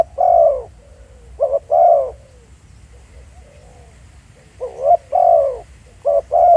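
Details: Field-recorded decoy spotted dove at Pha Sing, Thailand: a loud long coo, then phrases of short rising notes ending in a drawn-out hoarse coo. A quiet pause with soft low notes comes mid-sequence.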